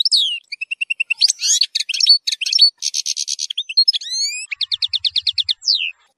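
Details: Strong 'nahrat' phrases fill this European goldfinch 'zilzal' song used to teach young goldfinches. A long phrase of repeated chirps, buzzy rattles, rising whistled slides and a fast even trill ending in a downward sweep.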